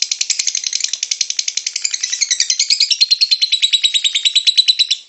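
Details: Rapid, high-pitched rattling chatter from a lovebird singing ngekek, meant to lure other lovebirds to sing; quick buzzy notes repeat steadily, and the pitch dips slightly toward the end.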